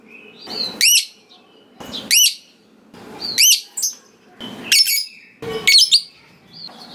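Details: Lively lovebird giving sharp rising squeaky chirps, five loud bursts spaced over about a second apart, from a bird whose long trilling is said to set rival lovebirds answering.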